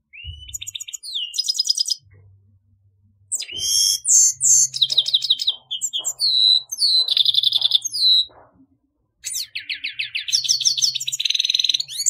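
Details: Grey-headed goldfinch (Carduelis caniceps) pouring out a varied twittering song of chirps, buzzy trills and slurred whistles in several long phrases separated by brief silences.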